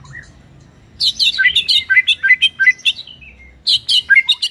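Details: ['White-rumped shama song in high, bright chirped phrases, each note sliding downward, delivered in a quick descending cascade after a short quiet start, then a second burst of shrill notes.']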